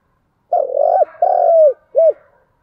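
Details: Spotted dove calling as a lure to stimulate other doves: one phrase of three mellow, low coos, two long slightly wavering notes followed by a short clipped final note, over about one and a half seconds against a quiet background.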